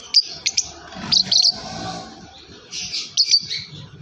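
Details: Yellow lovebird giving sharp, high chirps in short bursts of two or three, with a brief pause between groups.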